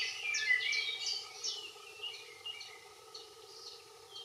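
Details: Common chiffchaff song with a blackbird behind it: high, sharply dropping notes repeated about twice a second, loud at first then fading, a brief low blackbird whistle near the start, steady background hum throughout.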